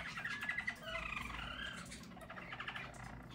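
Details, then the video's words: Harz German Roller canaries from a yellow team in 2022 give a short burst of quick trilled notes that slides into a softer, fading roll. "Harz German Roller Canary singing"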